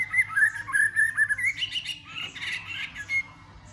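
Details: White-rumped shama singing a fighting song to stimulate other birds: a string of short warbled whistles at steady pitch, then a louder burst of buzzy, jumbled notes, with a faint background hum.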